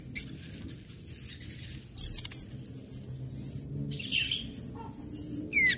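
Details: Orange-headed thrush song in ngecip, ngecit and ngeplong styles, played to stir other birds into singing: sparse high whistled notes and thin slurred phrases separated by pauses, with a faint low background hum.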